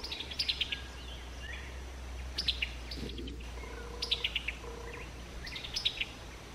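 A summer tanager gives quick, clipped clusters of high staccato notes, like a chattering pik-i-tuk, about every two seconds, over a low steady rumble.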